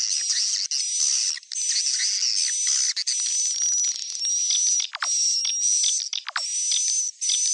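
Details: Swiftlet calling to its young, a stereo recording: dense, shrill chattering fills the high range almost without pause, with a thin steady whistle running above it, several sharp downward-sweeping chirps near the end and brief silent gaps.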